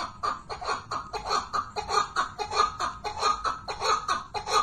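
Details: Chukar partridge calling in a rhythmic run of gravelly chuck notes, evenly spaced and close together, loud throughout with a slight rise in strength.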